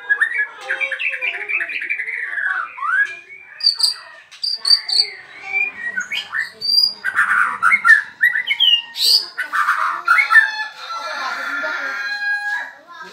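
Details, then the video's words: Freshly uncovered caged bird, new arrival, chattering without stopping: long jumbled sequence of squawky notes, sharp high chips and warbled slurs, varying in loudness, continuing throughout. "BARU datang buka KERODONG langsung NYEROCOSS gak bisa diem"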